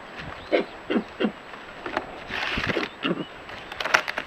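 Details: Southern Ground Hornbill alarm call, a harsh grunt given when something is seen, the bird moving off at once: three harsh, low grunts in quick succession, then a rougher, noisier stretch of gruff bursts over steady hiss.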